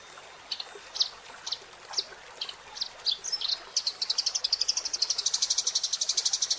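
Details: Eurasian tree sparrow song made as a training master for songbirds: first spaced single sharp chirps about every half second, then building into a fast, steady series of high chirps that carries to the end.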